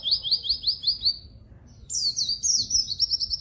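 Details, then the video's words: Singing white-eye, used as a lure and tutor for reluctant singers: a quick series of five falling high whistles, a brief pause, then a fast twittering phrase ending in rapid trilled notes. "burung pleci gacor!!! efektif untuk pancingan dan masteran pleci yang malas bunyi"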